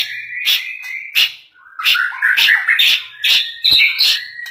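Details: A very talkative caged canary kept in Banten sings a varied song: a steady whistled note, then sharp chips and a dense run of warbling, trilling phrases with rapid pitch jumps, loud and continuous after a brief pause.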